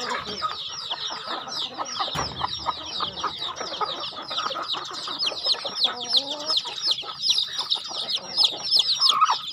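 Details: Farm chickens calling while fed: dense high downward peeps from many birds throughout, a single sharp knock early on, then a louder rising-and-falling call with clear layered tones midway.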